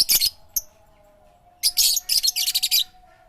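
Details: Loud, high, bright chirps: a harsh opening note, a short pause, then a dense run of quick repeated twittering notes over a faint constant hum.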